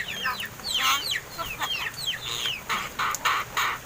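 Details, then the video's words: Hand-raised myna birds, seven months old and reportedly starting to talk, utter rapid downward chirps and rasping notes, then a run of loud, evenly spaced harsh calls near the end. "MARTINEZ BIRD TALKING!"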